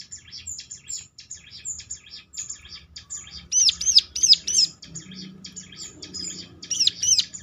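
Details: Ciblek lure song meant to provoke other ciblek into replying: a fast, thin, high chatter throughout, broken by a brief run of louder arched notes near the middle and again toward the end.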